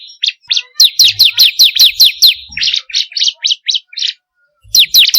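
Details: Bar-winged prinia, a recording meant to lure and train birds: scattered chirps build into a fast series of high falling notes, then looser twittering notes, silence, and a new burst.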